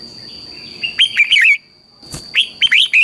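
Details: A red-whiskered bulbul sings brisk, fiery morning phrases used to train other birds: two bursts of fast, bright, slurred whistles split by a short pause and a dull knock, over a faint steady high tone.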